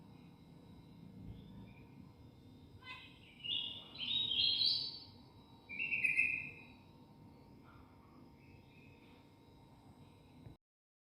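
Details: Protected black-winged myna giving its full filler song: two loud, rich whistled phrases a second apart, the first rising and wavering, the second lower and steady, with soft scattered notes between and a quiet hum underneath.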